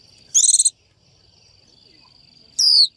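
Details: Female Japanese white-eye luring a male into song gives a buzzy pulsed burst, then after two seconds a clean high downslurred note, with a steady thin whine in the background.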